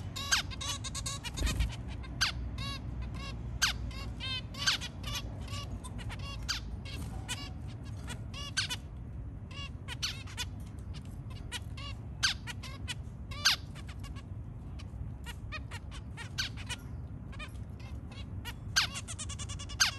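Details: Zebra finch family with three babies calling in the early morning: short, nasal, trumpet-like calls in a busy, overlapping chorus.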